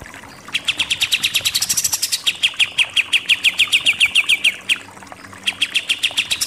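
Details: Pied triller delivering rapid 'nembak-nembak' phrases for songbird master training. Dense, machine-gun-like notes repeat steadily for about four seconds, break off, then resume in a shorter run.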